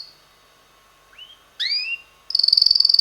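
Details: Red male canary, six months old, giving two upward-slurred whistles after a quiet gap, followed by a high rapid trill.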